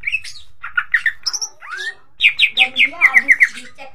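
A greater green leafbird sings a lively run of varied whistles and chirps, ending in a rapid series of bright, repeated notes around two per second or faster.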